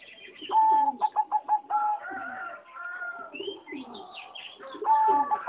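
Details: Singing zebra dove of a competition line bred from a wild mutation, heard in an aviary: a loud clear cooing phrase of rapid pulsed notes near one pitch, then softer overlapping coos and trills from other doves.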